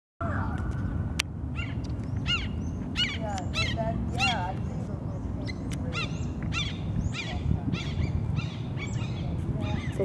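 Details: Red-shouldered hawks, recorded on 8 February 2023, give rapid, squeaky, slurred calls, several a second and often overlapping, over a heavy low rumble of wind and handling noise.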